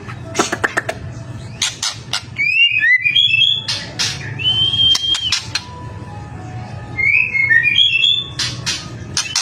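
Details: White-rumped shama (murai batu) in full song, used as a lure to prompt other shamas to answer: clear whistled phrases, some sliding and warbled, broken by sharp dry clicks and snaps, over a low steady hum.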